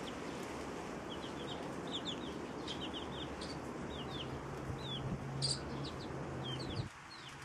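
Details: Hen with her chicks, feeding side by side; repeated high descending chick peeps come in loose clusters, and a low hum runs underneath until it drops near the end.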